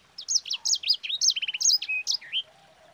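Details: Yellow-fronted canary (sanger) in a fast, rolling 'ngerol' song, used as a lure and training model for other birds: a dense run of sharp, high whistled notes, many steeply rising or falling, with a short buzzy trill midway.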